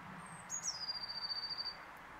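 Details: Blue tit giving one very high, thin whistled note that slides downward into a rapid, even trill of about a dozen quick pulses lasting around a second, in a quiet outdoor setting.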